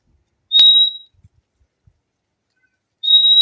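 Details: ['Fim-fim, the purple-throated euphonia, giving a single high, pure whistled note, then about two seconds of near silence before another level high whistle begins.']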